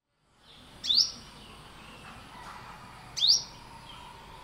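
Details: Olive-backed Sunbird song: two sharp, thin, upslurred high notes about two seconds apart over a faint steady background hum.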